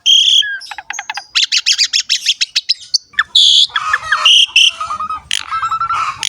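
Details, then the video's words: Varied Asian pied starling song for coaxing young males and females into singing: a clear whistle, then a fast series of sharp clicking ticks, followed by scratchy bursts and mid-pitched whistled phrases. "PANCINGAN BURUNG JALAK SUREN SUPER GACOR FULL ISIAN MEWAH"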